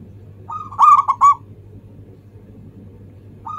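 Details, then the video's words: Manggung song of a local zebra dove, a lure for getting other doves singing: a soft lead-in note, then loud rippling coos broken into three quick pulses, another phrase starting at the end; faint low hum beneath. "ANGGUNGAN SUARA PERKUTUT LOKAL"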